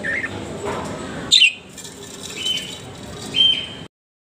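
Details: A budgerigar found during a morning walk gives a few short, bright chirps over a soft background hiss.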